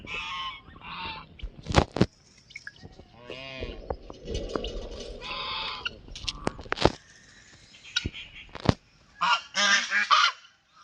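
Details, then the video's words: Pet white call duck quacking loudly: bursts of raspy, honking quacks, several in quick runs, separated by pauses, with sharp clicks and knocks between calls. "Our pet white call Duck Quacking, Quacking"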